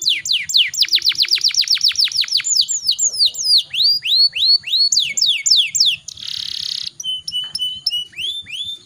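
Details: Singing canary with a long rolling delivery: a fast run of downward-sweeping notes, then spaced curved whistles, a brief harsh buzzy burst, and a steady high whistle with light background ticking.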